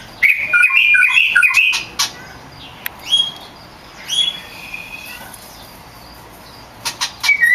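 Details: Oriental magpie-robin (kacer), a champion bird in full song, for conditioning pet songbirds: quick warbled phrase of bright notes, then sparse clicks, a rising whistle and short chirps separated by pauses.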